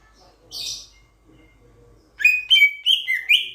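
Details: Raja perling, a loud-voiced starling-type bird of Sulawesi that eats fruit and insects: after a faint quiet start, a burst of loud, clear whistled notes repeats quickly, the phrases rising and falling.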